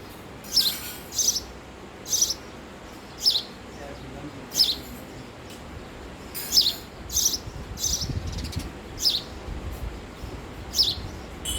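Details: Male house sparrow singing: a steady series of short, bright chirps, about one each second, all high-pitched and alike, over faint low background rumble.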